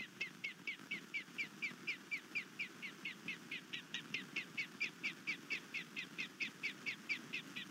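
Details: Nesting osprey on Skidaway Island, Georgia, alarmed by a nighttime intruder on 22 March 2019: a long, even run of shrill piping notes repeated a little over twice a second over faint background hiss.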